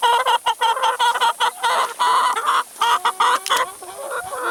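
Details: Chickens feeding on salad and vegetables cluck in short harmonic bursts, repeated rapidly and unevenly with brief gaps, several birds calling over one another.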